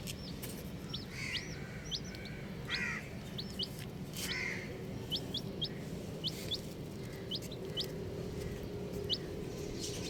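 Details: Colourful baby chicks peeping steadily, with many short high whistled chirps, each one sliding, spread through the recording. A few softer lower rustly notes and a steady low background hum are also present.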